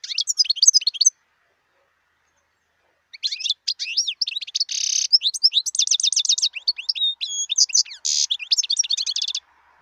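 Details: Song of a wild European goldfinch: a brief twittering burst, a two-second silence, then a long fast stream of tinkling, chattering notes broken by harsh buzzy rasps, high and bright throughout.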